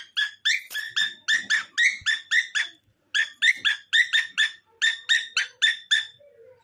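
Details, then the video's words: A cockatiel sings in quick runs of bright, harmonic whistled notes, roughly three or four per second, broken by short pauses; no other sounds stand out. "Cockatiel Singing with Cute Friend"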